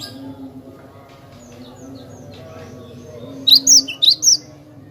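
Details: After a quiet stretch with low room hum, a cinereous tit, recorded as a clear-voiced tutor for other birds, gives a brief burst of four high, sharp, rising-falling whistled notes.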